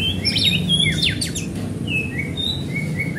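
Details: White-rumped shama in steady song, a recording used to stir other shamas into singing: a burst of quick downslurred sweeps, then clear held whistles stepping between mid and high pitch, over a low constant hum.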